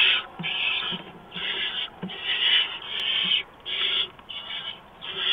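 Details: Pre-dawn barn owl nest, March 2015, mouse delivered: sequence of breathy, grating screeches, about seven, each half a second to a second, a sharp click near the middle and soft shuffling.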